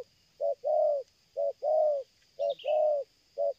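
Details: Short stretch of a spotted dove's 'selang gagap' cooing, a strong lure bird: alternating brief and longer mellow coos in steady pairs, a thin descending chirp from a small bird partway through.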